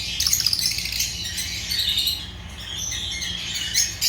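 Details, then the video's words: Constant high-pitched twittering and squeaky chatter from Agapornis lovebirds, several voices overlapping, a little softer toward the end. "Agapornis lovebirds chirping sounds"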